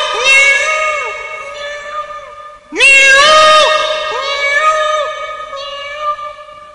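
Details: Peacock calling from a perch in a tree; a run of loud, nasal, drawn-out wails with wavering rises and falls, repeated several times with a short break near the middle.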